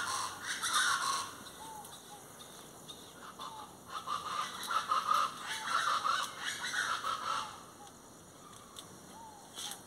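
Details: Plain chachalacas (Ortalis vetula) giving loud, harsh, raspy calls in uneven bursts across the middle of the recording, over constant high-pitched background hiss.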